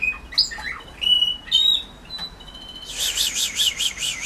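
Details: Young Belgian contest canary, out only for the second time with its song not yet finished, in hot weather: bright high whistled notes and short slurs, then a fast rolling trill filling the last second or so, over a faint background hum.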